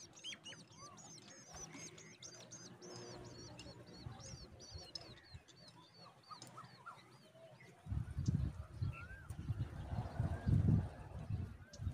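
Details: Woodshrike nestling, the only chick left in the nest, being fed regularly by its mother; a quick run of high, thin chirps opens the recording, followed by quieter scattered calls and low rustling, thumping noise.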